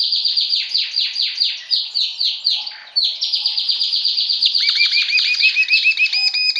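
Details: Canary singing for mating and training birds: quick cascading downward whistles, a brief low rasp, then a steady rapid trill joined by lower U-shaped looping notes.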